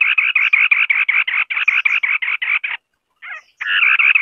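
White-browed scimitar babbler giving a fast, harsh, churring series of about five raspy notes per second, breaking briefly before the rattle resumes.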